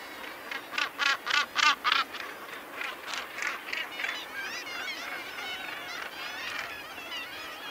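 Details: Northern gannets at Bempton Cliffs give harsh, grating calls in quick bursts, with a busy chorus of other birds behind.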